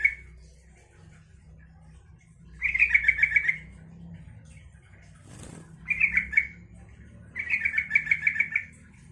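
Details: Provoking song of a yellow-vented bulbul to make others reply: three separate bursts of quick, liquid, stuttering notes spaced a few seconds apart, with a brief thump or wing-flutter between them and a low background hum.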